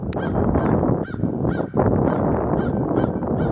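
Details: Crows flying off and calling after being chased by northern mockingbirds, Savannah, Georgia, July 8, 2023: harsh, harmonic caws repeated about twice a second in a steady series over heavy wind and rumbling handling noise.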